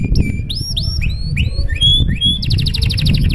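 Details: Canary in long, showy song used to prompt other canaries into singing: high clear whistled slurs, several rising sweeps, then a fast buzzy trill of repeated notes, over a steady low rumbling background.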